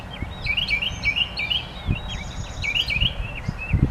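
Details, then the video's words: Lively bird singing: busy, overlapping chirps and twittering notes with quick upward and downward flicks, steady throughout, with a few low bumps in the background. "Bird Singing - What a Variety of Sounds!"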